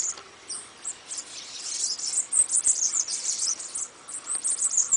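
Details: Song of a bananaquit, a quick run of very high, squeaky and buzzy notes that starts softly and grows into a dense, tinkling jumble.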